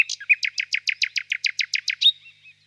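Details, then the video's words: Rapid run of about fifteen loud, identical chopped notes, roughly six a second, ending in a thin whistle, from a nightingale singing on a warm spring evening among birches. "Пение соловья"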